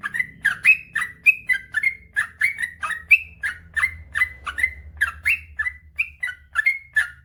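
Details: Long, nonstop 'ropel panjang' song from a male sooty-headed bulbul, a master track for birds that have stopped singing: fast sequence of bright, slurred two-part whistles, roughly three per second, with faint low background drone.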